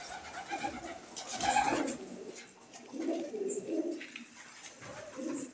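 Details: Surat fancy pigeons, crested and feather-footed, from a group of about eighty: several short low coos come in bursts over quiet gaps, with a faint high squeak and a sharp knock at the end.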